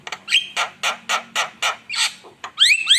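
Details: Javan myna (jalak kebo) singing actively as a lure: a steady run of harsh, buzzy notes about four per second, ending with sharp rising whistles.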